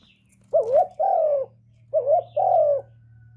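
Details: Cooing of a kept spotted dove used to lure wild doves to the trap site: two matching phrases, each a short hoot followed by a longer, smoothly falling coo, with faint background hum.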